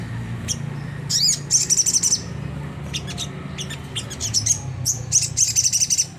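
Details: Rough ngriwik-style song of a Sunda whistling thrush, a lure for making caged birds sing: clusters of quick high chirps, one rising-falling whistled sweep, then trilled bursts over a faint low rumble.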